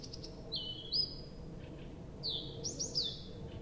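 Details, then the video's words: Abramtsevo nightingale singing at night in early June, recording started 23:00 on 6 June 2021: long drawn-out high whistles sliding gently downward, with a slurred double phrase, against quiet low noise. "Соловей поёт всю ночь"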